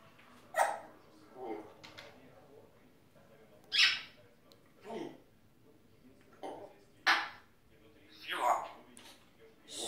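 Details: A pet male grey parrot chatters indoors in short, speech-like bursts with sharp, squawky syllables, one every second or two, while his owner talks to him and coaxes him to speak.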